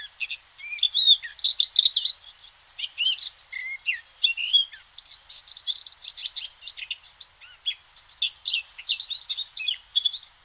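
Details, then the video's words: Eurasian Blackcap delivering a continuous, rich warble of pure fluted and chattering notes, tumbling up and down in quick succession for about ten seconds. "Ce chant est celui de la fauvette à tête noire."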